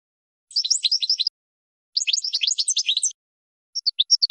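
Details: European goldfinch training song for teaching birds to sing: three bursts of rapid tinkling, twittering notes high in pitch, separated by short pauses, with no other sounds.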